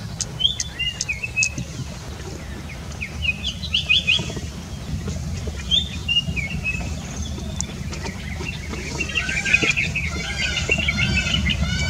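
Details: A white-browed fantail perched on a branch guarding its nest gives high, sweet whistled notes and short chirpy phrases, some rising and falling, over a low rumble of wind and background noise.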